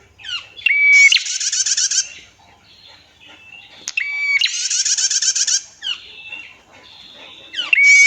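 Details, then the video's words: Female red-headed prenjak: a short whistled note with clicks leading into a long harsh buzzing trill, then softer thin whistles, the pattern repeating about every three to four seconds. "PRENJAK GACOR - MASTERAN BETINA, SUARA JERNIH, NGETIR PANJANG, KICAUAN BURUNG, PRENJAK KEPALA MERAH!"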